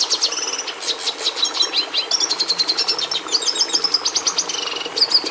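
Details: Rapid Red siskin song of sharp high chirps, rolling buzzy trills and twittered phrases, repeated in quick bursts with hardly a break, over a faint low background hum.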